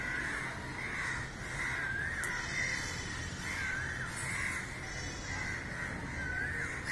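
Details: Crows crowding the sky and crying after one of their flock was found dead; many harsh caws blend into a steady roar, with a few distinct rising-falling calls standing out.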